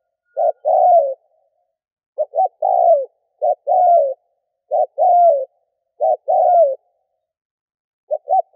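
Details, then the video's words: Decoy spotted dove calling to draw in wild doves: hollow low cooing phrases, a brief doubled lead-in and a long downslurred note, given about every second, then a pause before a closing stutter. "Cu mồi kèm || Tiếng chim cu gáy kích bổi nhanh nổi"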